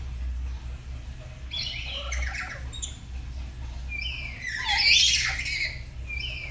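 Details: Morning duet of two household black-capped lories learning to sing: loud, harsh, broadband screeches rising to a peak midway, with shorter squawks before and after, over low constant hum.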